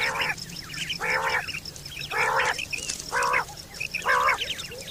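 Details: Quail call from September 2023, used for hunting and mating: five loud, buzzy, nasal bursts at about one-second intervals, with thin chirping notes between them.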